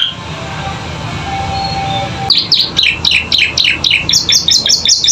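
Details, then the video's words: Canary training song for captive birds learning sounds: low hum and faint tones for the first two seconds, then quick chirped notes building into a bright, high, repeated trilled phrase. "Masteran Kenari Gacor Isian Cocok Buat Paud Belajar Bunyi"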